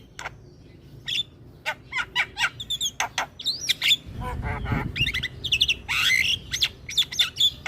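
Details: Javan myna singing with head-bobbing to prompt lazy mynas to sing: quick sequence of clicks, chips and squeaky whistles, a burst of rough noise midway, then more scratchy chatter.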